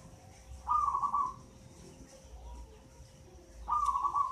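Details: Eight-month-old local zebra dove, already a frequent singer, taken from a mango-tree nest; two rolling, bubbling coo phrases about three seconds apart, each followed by a softer low note.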